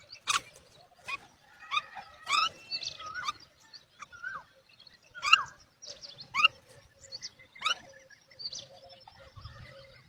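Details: Myna mother calling her chicks to feed while the young do not reply: scattered harsh, raspy notes and short whistled slurs at irregular intervals, some louder bursts between quieter chatter.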